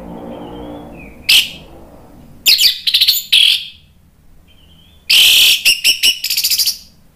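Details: Orange-headed thrush song intended to provoke a bird into singing. A single sharp note is followed by two clusters of rapid, rasping notes mixed with whistles, with a low hum early on.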